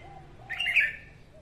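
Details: Morning song of a female red-whiskered bulbul, used for training birds and luring them to traps: one short, bright, warbling phrase of quick whistled notes, with a faint low tone behind it.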